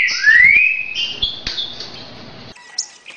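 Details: Green-winged saltator (trinca-ferro) performing "60 boi" song for training young birds: a long rising whistle sliding into sustained, steady whistled tones, ending with brief thin notes.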